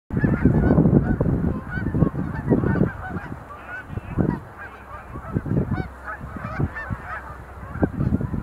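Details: Sandhill cranes making display leaps at Montezuma National Wildlife Refuge visitor center, November 2020; many overlapping rolling, trumpeting calls form a dense chorus, with loud low thumping bursts breaking through.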